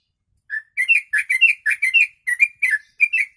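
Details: Yellow-vented bulbul (trucuk) singing with imitated kutilang phrases, used as tutor song for training birds; clear bubbly, slurred notes in quick pairs, about ten short phrases in three seconds, each rising then dropping, no background noise.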